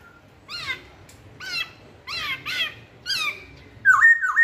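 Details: Masked laughingthrush lure song made of harsh, rasping downslurred calls, repeated roughly every second, sometimes in pairs. The series closes with two ringing whistled notes.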